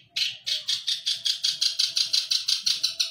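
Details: Long-tailed shrike, a caged Indonesian contest bird known for copying other songbirds, repeats a loud harsh chip about five times a second in an even, insistent series, with a faint low hum underneath.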